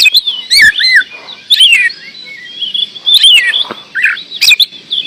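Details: Oriental magpie-robin, known locally as kacer, in full song: clear looping whistles and downward slurs separated by short gaps, punctuated by crisp clicking notes.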